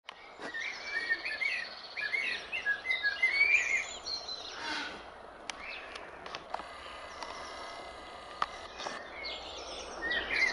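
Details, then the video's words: A male common blackbird sings a few mellow warbling phrases over steady background hiss, pausing midway before another short phrase at the end. "Le chant du merle"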